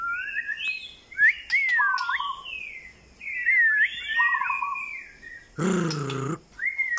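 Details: White-rumped shama singing varied whistled phrases: looping, rising and falling notes and short flat whistles in quick bursts. A harsh, rasping burst comes near the end, then a final whistle.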